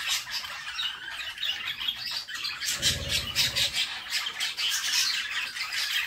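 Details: Inside a nest box, budgerigar chicks fed by the mother produce constant grating, buzzy squawks, with a low thump or rustle near the three-second mark.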